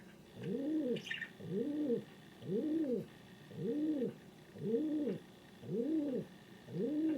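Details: A pet male king pigeon, apparently looking for another pigeon, gives seven deep, rounded coos, each swelling and fading, about one a second; a brief faint chirp sounds early on.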